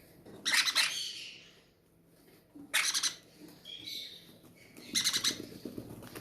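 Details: In an aviary at feeding time, hungry captive parrots make three harsh, grating squawk bursts spaced about two seconds apart, with softer nasal chatter and low background hum in the gaps.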